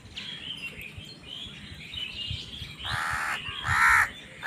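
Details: Crows fighting over food: two loud, rasping caws close together in the second half, preceded by soft distant chirps over a low rumble.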